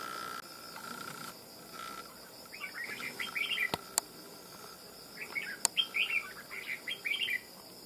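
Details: Wild-trapped red-whiskered bulbul, caught after nearly two months of effort, singing quickly: two bouts of lively, bubbling warbled phrases separated by a pause, with a few sharp clicks and a continuous high drone.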